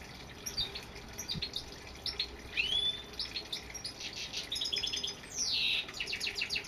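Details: European goldfinch song: lively twittering of short high chirps, buzzy trills and a few clear rising and falling whistles, with a steady faint background hiss.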